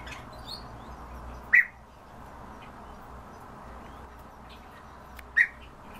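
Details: Himalayan bulbul giving two short, sharp, chirping notes about four seconds apart over a steady background hiss.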